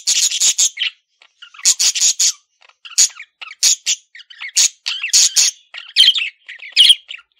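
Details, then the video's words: Male pet budgie giving clusters of harsh, high chirps and squeaky warbles in separate bursts about every half second to second, with gaps of quiet between. "MALE PARAKEET SOUNDS"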